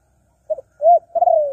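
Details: Spotted dove calling, used to lure wild doves: a quick double coo followed by a smooth swelling hoot and a long, slightly descending purring croon, clean with no other sounds.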